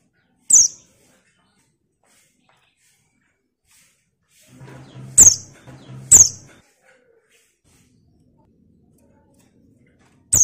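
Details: Lure call of a female buxtoni white-eye: four brief, very high, thin downward-sliding notes spaced irregularly across ten seconds, two close together amid low hum and rustling, otherwise quiet.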